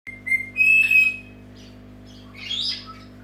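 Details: A Senegal parrot's wake-up call: a few clear, high whistled notes, the second held and rising slightly, then a short harsh squawk, over a steady low indoor hum.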